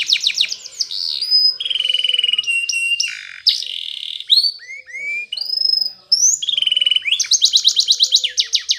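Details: Spanish Timbrado canary singing in the morning: fast metallic trills alternate with sustained level whistles and short pure notes, with quick rolling bursts returning near the end.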